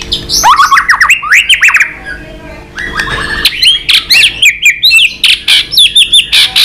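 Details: Tail-flicking White-rumped shama delivering a fighting song at a rival. Rapid descending slurred whistles give way to a quick chattering sequence of clipped, repeated notes and high sweeps.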